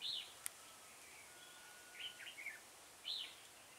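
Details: Red-whiskered bulbul serving as a decoy for trapping sings brief warbled phrases at the start, middle and end, with a sharp click early on and constant background hiss.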